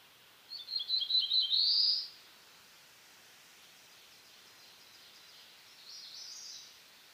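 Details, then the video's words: Black-throated blue warbler (Setophaga caerulescens), eastern North America: one loud song of quick buzzy notes finishing in an upslurred buzz, followed seconds later by a faint distant buzzy phrase. "Black-throated Blue Warbler Song"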